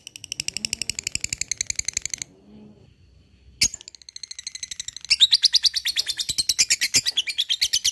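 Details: Lovebird giving a long ngekek, a rapid chattering trill of high, pulsed notes in a fast even stream for two seconds. After a pause comes a short sharp burst, then another sustained chatter runs from five seconds to the end.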